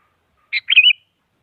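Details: Rival-provoking song of a sooty-headed bulbul, meant to make a silent bird sing: one burry chirp, then a fast bubbling run of liquid whistled notes lasting under half a second, with no background noise.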